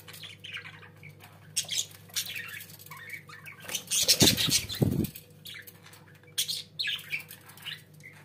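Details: Budgerigars kept as pets warble in uneven, scratchy bursts of chirps and squawks, interrupted midway by loud fluttering or rustling thumps, with a low hum throughout.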